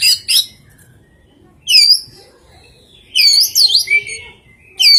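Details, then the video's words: Oriental magpie-robin with an odd song holding rare fill-in phrases: sharp high chirps, a rising whistled slur, then a wavering looping series of whistles falling to a lower sustained note. "Suara kicauan KACER yang aneh, & isian yang sangat LANGKAH"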